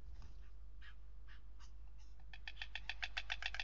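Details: Courting pair of white storks at Madrigal on 11 February 2019; scattered dry knocks quicken into a rapid, rattling series of clacks, over a steady low rumble.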